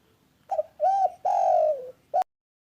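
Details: Spotted dove giving its mellow cooing phrase: a quick lead-in note, an arched coo, a long drawn coo easing downward, then a short final coo that ends abruptly in a sharp click.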